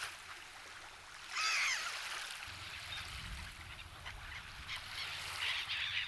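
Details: Winter black-headed gulls fed by visitors at Kasumigaura Park in Tsuchiura, Japan: a sharp squealing cry near the start and another toward the end, over a low rumbling background.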